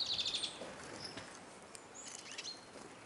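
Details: Hungry Eurasian siskins feeding at a bird table in Kolmården, Sweden, recorded from ground level under the feeder; a quick high trill of repeated notes opens, followed by scattered thin whistled calls and soft rustling.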